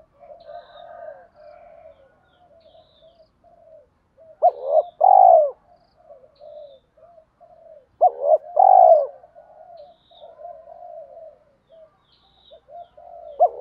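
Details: Spotted dove cooing to bring wild doves close: two loud phrases about three and a half seconds apart, each with a quick double lead-in and a long, full coo. Another begins at the very end, with soft background cooing and faint chirps.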